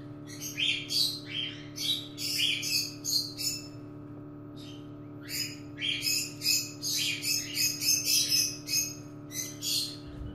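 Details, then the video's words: Cockatiel chick, a female, hatching and stuck in its egg, helped out by hand in a nest; rapid high, scratchy chirps in bursts, roughly three per second, over a steady low electrical hum. "Calopsita presa no OVO"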